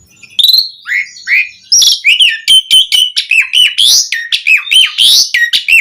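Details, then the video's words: Asian pied starling (jalak suren) singing a rich lure phrase to goad other starlings into song, with warbled slurs, twangy whistles and quick chattering notes. "Suara Jalak Suren Langsung NYAUT buat Pancingan Mendongkrak Emosi Burung Jalak Agar Gacor Full Isian"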